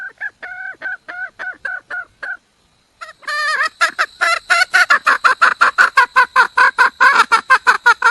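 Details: Calling for a male, a wild red junglefowl hen repeats rhythmic cackles, pauses about a second, then resumes with a louder, denser and faster run of harsh notes that continues to the end.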